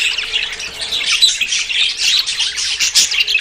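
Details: Budgerigars courting ahead of breeding: a short burst of crowded high chirping and chattering warble, many quick notes running together.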